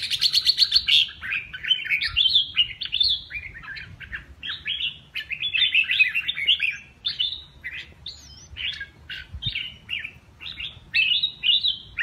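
A red-whiskered bulbul sings a fast, unbroken stream of bright, liquid whistled phrases, rising and falling in quick bursts, with no other sounds.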